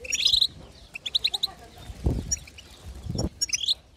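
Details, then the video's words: Female European goldfinch chatter meant to prompt a male to sing: short bursts of high twittering notes, broken by two low dull thumps or handling noises in the middle. "بتبتة حسون وطنطنة تجعل الحسون يغرد"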